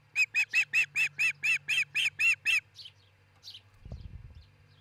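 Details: Nesting osprey pair, Charlo, Montana, nest camera, early 22 June 2018: eleven loud, evenly paced, ringing harmonic cheeps in quick succession, followed by two faint high chirps and a low thud.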